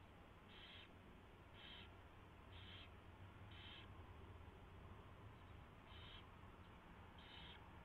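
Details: Owl nest at 4:21 AM, 24 February 2016, with a mouse being delivered and fed; six clipped, breathy rasping calls repeated about once a second, pausing briefly before the last two, over low steady hum.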